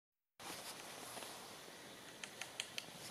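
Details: A foraging varied tit holds a tree nut with its feet on a branch and cracks the shell, making woodpecker-like sounds: four quick dry knocks about a fifth of a second apart, over a steady outdoor hiss.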